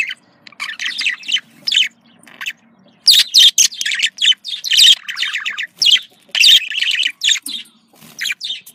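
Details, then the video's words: Parakeet contact calling, cheerful in tone: bursts of chirpy warbling and squawks in irregular phrases, louder in the middle, with quiet gaps between. "Voz decomunicación.de loro australiano /sonido de llamada de periquito / se sentirá feliz"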